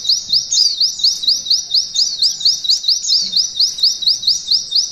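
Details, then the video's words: White-eye (pleci) giving canary 'nembak ngalun' material meant for tutoring canaries: a rapid, regular series of high, sharp upslurred whistles, each note alike, with occasional overlapping chirps and quiet background noise. "Pleci Materi Nembak Kenari NGALUN"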